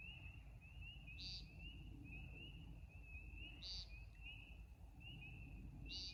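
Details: American woodcock (timberdoodle) in a backyard at night during its flight display: a steady high twittering runs throughout, broken by brighter chirp bursts about every two and a half seconds, over a low rumble.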